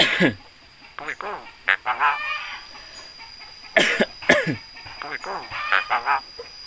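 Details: Talking Javan myna imitating human sounds such as greetings and coughing: a cough-like burst at the start, then grating, voice-like syllables and rasping notes in uneven groups, loud against a steady faint electrical hum.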